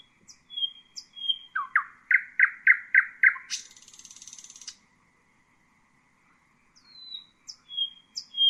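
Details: Common nightingale song: high thin whistles, a string of six loud clipped notes, a buzzy rattle, a long pause, then more soft high slurred whistles.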